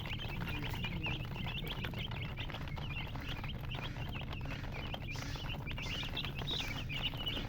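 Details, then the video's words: Many baby chickens peeping at once, each short high chirp sliding down in pitch, repeated densely through the clip over a persistent low hum. "Witty MURGI Baby "Chicks Chirping" Sound"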